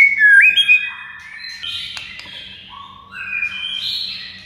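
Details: White-rumped shama master song to set silent shamas singing; a loud curling whistle opens, followed by a softer run of overlapping buzzy and stepped whistled notes.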